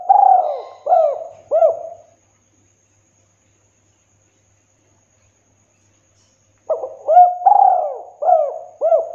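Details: A spotted dove's clear 'kuk 2' coo, recorded as a training and luring track: the tail of one phrase of hollow arched notes, then a long quiet gap and a fresh phrase of five or six coos.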